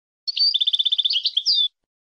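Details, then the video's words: A single rapid goldfinch phrase of evenly repeated metallic notes forming a fast trill, ending in a sweeping slurred whistle, about a second and a half long against complete quiet. "تغريد حسون في غاية الجمال بدون اخطاء"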